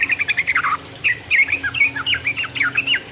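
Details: Sooty-headed bulbul singing a fast 'ropel uplik uplik' song meant to provoke rival birds: bright, chattering whistled notes in quick bursts, with a short pause before a second run of rising and falling phrases. A faint low hum underneath.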